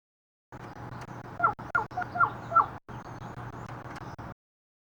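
An American crow gives four short nasal honks about a third of a second apart, over a steady low hum.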